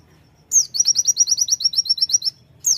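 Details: A Sunda white-eye in energetic song gives one high, fast phrase: a sharp downslurred opening note, then a quick run of about a dozen repeated thin twittering notes, and a new phrase begins at the end.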